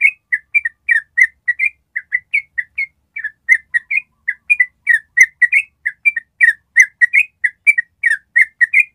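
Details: Steady stream of short, whistled, slightly bubbling notes from a yellow-vented bulbul's long ropel trill, each note quick and varied in pitch, continuing without pause in a quiet setting.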